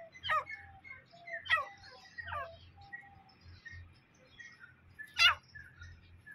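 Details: Grey francolin (wild teetar) calling: short, sharp, downward-sweeping notes in quick clusters, repeated irregularly every second or so, with faint softer chirps and low background rumble between them.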